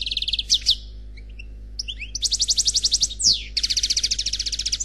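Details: European goldfinch singing a Khalwi-style song, the bird described as single (unpaired): fast runs of evenly repeated high notes, quick rising slurs and a sweeping buzzy note, with a steady low hum behind.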